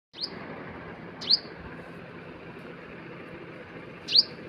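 Three short, high, sharp chirps from a bird, spaced irregularly, over a steady background hiss like distant traffic or wind.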